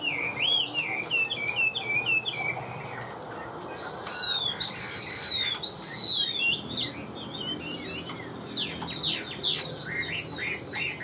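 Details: Chinese hwamei kept in a cage and known for its steady voice sings a long, varied run. Short looping whistles lead into a drawn-out high slurred note, then fast trills and quick rising notes.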